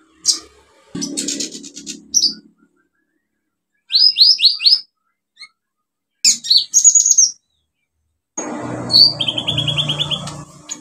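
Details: Olive-backed sunbird in full song with fill-in phrases, used to coax silent birds into singing: bursts of high chirps, quick rising slurred notes, and a fast series of thin descending notes, with a low background hum toward the end.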